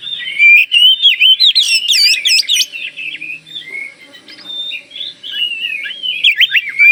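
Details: Kalimantan Oriental magpie-robin in vigorous song intended to make other magpie-robins answer; loud rapid whistled phrases with harsh buzzy notes near the start, a quieter warbling middle, then strong sweeping whistles again.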